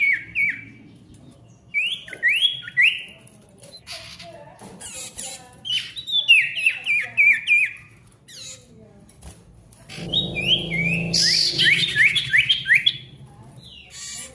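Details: Ashy tailorbird song meant to coax quiet birds into singing: clusters of quick downward-sliding whistles in bursts every couple of seconds, with some low rumbling background noise near the end.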